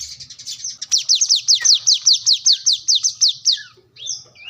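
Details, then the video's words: Plain-throated sunbird seeking an opponent: a steady series of about twenty high, thin, down-slurred notes, evenly spaced, ending with a couple of squeaky rising calls. "kolibri kelapa | wiceh | manggar | korlap gacor mencari lawan"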